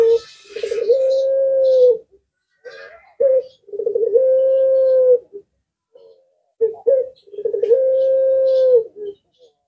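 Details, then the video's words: Collared dove of the puter pelung type, which other birds are said to answer, giving three long, low coos: each opens with a short stuttering burst, then holds a steady hum, repeated about every three seconds, with brief clicks between. "Burung Jenis Lainpun Ikut Nyaut Jika Mendengar Suara Puter Pelung Ini"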